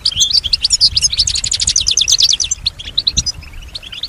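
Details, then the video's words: A captive European goldfinch, described as copying the sounds around it, delivers a fast, bright twittering run of clipped high notes and trills. The notes thin to scattered chirps after the middle. "keep your goldfinch healthy and singing"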